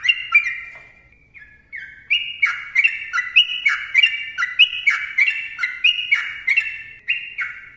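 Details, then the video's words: Sooty-headed bulbul (trucukan) giving a long rapid 'ropel panjang' song, used as a training and lure recording for bulbuls: bubbly, fluty whistled phrases stepping up and down, delivered almost continuously at about two notes per second, clean background. "TRUCUKAN GACOR ROPEL PANJANG MBONANG SUARA RAPAT"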